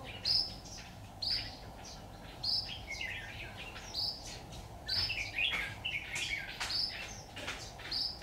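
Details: Red-whiskered bulbul trapped using a decoy bird, recorded 26 October 2019: high clear whistles repeated roughly every second, breaking into fuller warbling phrases midway, with a constant low background drone.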